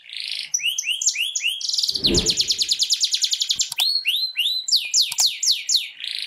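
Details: Canary singing, used to stimulate other canaries into song: looping rising whistles, then a fast even rattle of repeated high notes, followed by rolling downward-slurred phrases, with a brief low thump near the start of the rattle.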